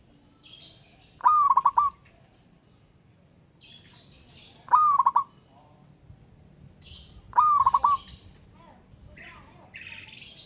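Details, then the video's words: Local wild zebra dove cooing persistently at a rival: three stuttering phrases roughly every three and a half seconds, each a rising whistle breaking into quick rolled notes, with high chirping from other small birds between them. "Burung Perkutut LOKAL Alam Ngayer Memanggil Lawan Ikutan Manggung Gacor"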